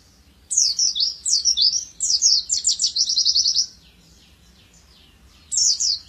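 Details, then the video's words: Caged oriental white-eye of the dakun type, sung as a master song for training cage birds: rapid high twittering of sharp rising and falling notes in a dense burst of about three seconds, a pause, then another short burst. "Kicauan burung pleci cocok untuk masteran gacoan anda"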